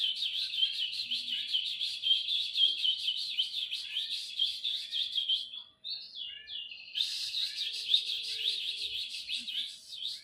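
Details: Domestic canary in full song, a long rapid rolling warble of chattering trills and twitters, briefly pausing into a few separate chirps before resuming an intense, fast stream of notes.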